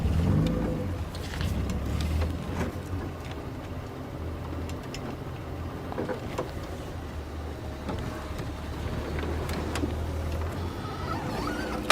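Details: A low vehicle engine rumbles steadily with scattered clicks and knocks, and no animal voice stands out.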